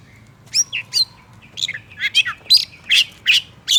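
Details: Oriental magpie-robin vocalizing to rile up another male, giving a series of harsh, buzzy chattering notes repeated roughly every third of a second, mixed with short high whistles.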